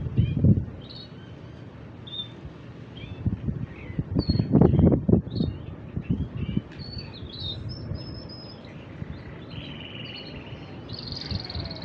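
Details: Two male canaries singing in turn without pause; scattered short whistled and chirped notes, some brief upward slides, over a steady low rumble with soft thumping knocks.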